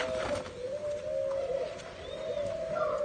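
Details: Pair of spotted doves recorded in Nam Định, Vietnam, on 18 April 2022: low, steady cooing drawn out almost without a break, gently wavering in pitch, with faint background hiss and a few soft knocks.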